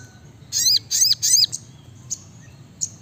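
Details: Three loud, high, downward-swooping whistled notes from a brown-throated sunbird, delivered in fast succession, followed by a few isolated soft chips. Sung in a lively, rapid-fire style over a low background hum.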